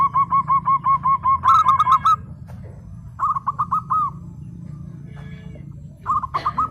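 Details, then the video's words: Zebra dove of a local strain singing actively: a rapid even series of soft coos, then short phrases of four or five sharper hooked notes returning at intervals, with a low hum behind. "PERKUTUT LOKAL GACOR, burung ciri has 💯 % nyaut"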